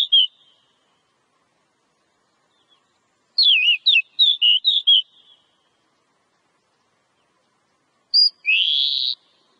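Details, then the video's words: Oriental magpie-robin song meant to prompt other birds to sing: an isolated whistle, then a rapid phrase of looping, warbled notes, and after a pause a short high note and a buzzy slurred ending. "Suara Burung Kacer ' Agar Kacer Rajin Berkicau'"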